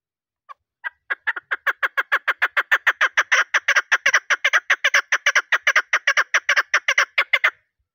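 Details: Hunting recording of a female chukar, whose voice makes males respond. A couple of spaced opening notes lead into a long, steady, fast string of raspy clucks lasting several seconds before stopping abruptly.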